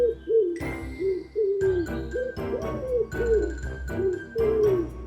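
A wood pigeon gives soft, low, husky coos in a series of short rising-and-falling phrases, about one each second, over light background music.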